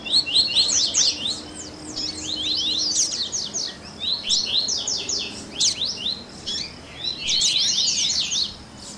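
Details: Double-collared seedeater singing in the baderninha style, a warm-up recording meant to get a captive bird singing: bursts of rapid, high, slurred notes in rough phrases separated by short pauses, with a faint low hum beneath.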